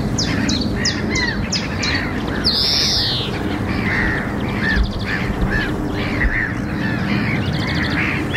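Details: European greenfinch (Chloris chloris) call: a quick run of sharp chipping notes, one drawn-out nasal wheeze, then soft twittering over a steady low background rumble; recorded 9 April 2023 at 13:05, Wagbachniederung, Oberhausen-Rheinhausen.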